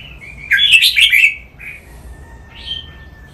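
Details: Song-training recording of a caged red-whiskered bulbul in playful "len rik" style; a lively jumble of high warbled chirps, a short trailing note, then a single clear whistled phrase after a gap.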